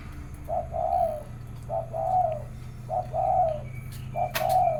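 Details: Morning contest cooing of doves: four low, rounded phrases, each a brief lead note joined to a longer warbling coo, spaced about a second apart, with a faint steady hum and one sharp click.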